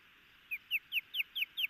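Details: Osprey pair on a nest cam at Hellgate Canyon, Missoula, Montana, both alert as the male chases off an intruder twice, June 2018 just after midnight: six sharp, clear, slightly downslurred whistled chirps, evenly spaced about every quarter second.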